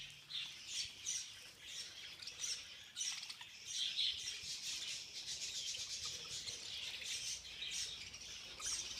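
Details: A budgie flock feeding in a frenzy keeps up a busy, overlapping twitter of high chirps and warbled notes. The chatter swells and dips but never stops.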